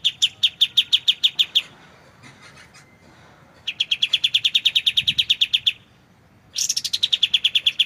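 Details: Clear white-shouldered triller song used as training material for magpie-robins, with pauses between phrases: three long bursts of rapid, evenly repeated high trilled notes, the last starting higher and sliding down, separated by quiet gaps.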